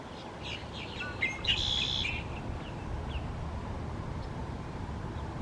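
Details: Loud red-winged blackbird, a common American bird, giving one phrase of brief sharp notes leading into a buzzy, ringing trill, with a few soft chirps before and after against a hissing, noisy background.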